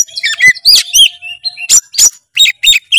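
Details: White-rumped shama singing a rich, varied stream of high whistled and chattering notes, with sweeping phrases and sharp bursts, loud and close, with a faint steady low hum beneath.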